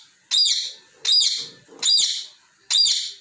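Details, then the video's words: Pet parrot playing with its balls and scolding them; four piercing, raspy high chirps spaced under a second apart, with faint low clatter between. "Parrot Chirping sound ✨ Playing With Ball's"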